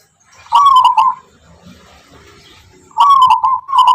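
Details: Zebra dove, local wild Tangguh Tuban type known for its distinctive rhythmic singing, gives two bright rolling coo phrases of rapid warbled notes, each starting with a sharp click, separated by a quiet gap of under two seconds.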